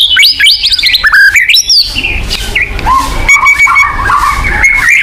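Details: White-rumped shama song meant to stir a kept bird into singing: fast whistled slurs and harsh bursts at first, then softer drawn-out whistles over a low background hum.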